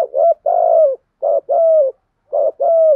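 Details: Spotted doves, male and female, cooing to excite wild birds for decoy training. Three quick two-part phrases come about once a second. Each is a short burry note, then a longer smooth coo that sinks at the end.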